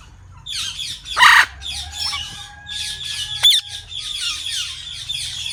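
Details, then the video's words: Parrot chatter: continuous raspy, buzzy squawks with one louder harsh cry and a brief sharp whistle mixed in. "Natural Parrot Sounds | Parrot Chirping Sounds"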